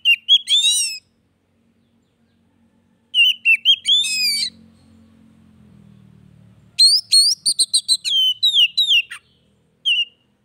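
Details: Oriental magpie-robin song meant to coax a stalled bird into singing; three separate bursts of whistled, slurred and scratchy notes with a short clipped phrase at the end, long quiet gaps between, faint low rumble in the background.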